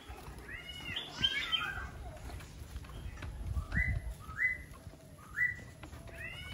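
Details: Laughingthrush singing more softly: a brief jumble of whistled notes, then a few short upslurred whistles repeated about once a second, against a low background hum.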